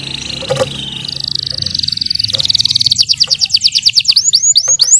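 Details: Yellow canary training song emerging from a noisy, hissy start with a steady high tone, building into a fast trill of falling notes and ending in hooked whistles.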